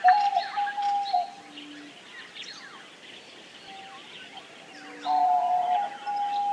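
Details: Diamond dove cooing: a long even note opening, a soft low hum, then another rising, swelling coo later, while numerous small birds chirp rapidly throughout.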